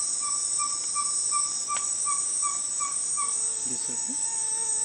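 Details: Ferruginous pygmy owl (Glaucidium brasilianum), May 2020, gives a steady run of clear, even whistled toots, about three per second, over a constant high insect buzz; a person speaks briefly near the end.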